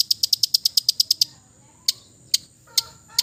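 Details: Long-tailed shrike of the East Java type giving a relaxed song full of mimicked fill-ins, meant to stir silent birds: a fast burst of about eleven sharp high notes, then scattered single high ticks after a pause.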